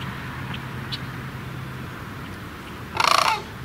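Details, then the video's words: Sandhill cranes: one loud, rolling, rattled call near the end, pulsing rapidly for about half a second, after quiet low hum. "Sandhill Cranes Calling"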